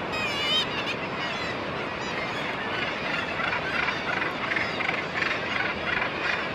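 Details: Northern gannet at its nest with its mate gives harsh, grating calls that quicken to about three a second, over a dense, rasping din of many other seabirds.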